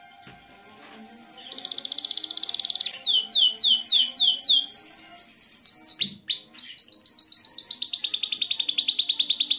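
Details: An excited male canary eager to mate, singing to stimulate the female: a fast, continuous run of high trills and rolling tours, shifting between rapid repeated notes and sweeping whistled phrases.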